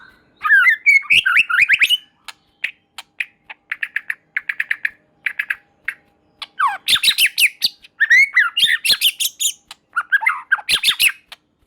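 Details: A murai batu, or white-rumped shama, sings to provoke rival shamas: rising slurred whistles, then short chattering bursts in even groups, followed by loud rich warbled phrases mixing whistles and harsh notes.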